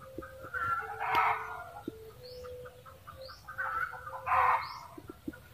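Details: Red junglefowl cackling in repeated harsh bursts, two loud peaks about three seconds apart with rapid clucks between, and thin rising whistles from other birds overhead.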